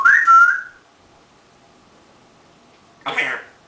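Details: An 18-year-old pet African grey parrot whistles a bright, bending note, then after a pause gives a rough, harsh burst of sound, recorded in a quiet room.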